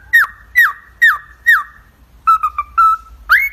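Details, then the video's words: Pet cockatiel whistling a tune: four loud downward-slurred whistles about half a second apart, then a run of short level whistles and a long flat one, ending in a rising whistle. Steady low hum behind. "Cocktail parrot superb talking and singing"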